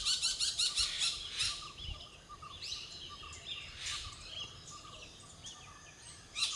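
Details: Blue-winged or Malabar Parakeet of southern India's Western Ghats, filmed with a Sony HX100V camera: a quick run of thin, high chirps in the opening second and a half, then scattered sharper notes over steady background hiss.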